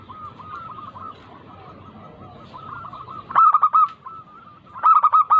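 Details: Lure song of a local zebra dove, played to push quiet doves to sing: after three seconds of faint, wavering background coos, two loud staccato phrases of about four notes each.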